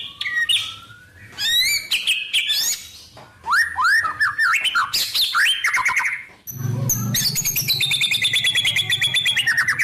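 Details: Varied White-rumped shama song packed with imitated wild-bird phrases: rising whistles, rapid chirps and swooping notes, then a long high trilling section over a steady low rumble in the later half.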